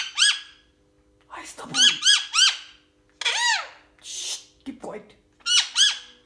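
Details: A male pet parrot, in a playful mood while its owner talks with it, gives harsh, high, arching squawks, often in quick bursts of two or three with short pauses between; faint low voices or handling sounds are heard briefly.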